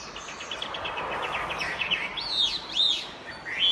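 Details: Chinese hwamei in full song over a noisy, hissing background: a quick stutter of short repeated notes, then several loud swooping whistles that rise and fall, ending on a sustained high tone.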